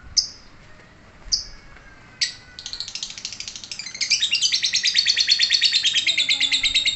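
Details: Lovebird launching into 'ngekek': two short, sharp, high notes a second apart, then a clipped note opening into a fast, shrill, buzzy chatter of rapid repeated pulses that grows louder and runs unbroken.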